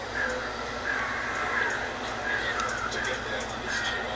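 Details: A great blue turaco eating lunch gives harsh, caw-like notes, several in quick succession, over a steady background hum with what may be faint voices.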